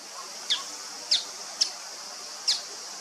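A male Bull-headed shrike gives four short, sharp, high notes at uneven intervals over about three seconds, against a steady high hiss of background noise.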